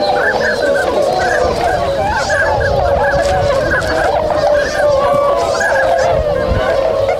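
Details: Swans in Inzai City, Chiba Prefecture, Japan, stirring and beginning to move after waking on 16 January 2022; a steady wall of overlapping bugling honks from a large group, some rising and falling in pitch.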